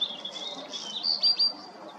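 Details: Black redstart song fragment: a brief, thin, high, scratchy phrase with a couple of sharper accented notes near the middle, heard against soft low background noise.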